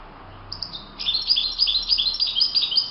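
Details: European goldfinch singing in the wild: a couple of thin introductory chips, then a continuous rapid stream of tinkling, jangling high notes lasting about two seconds.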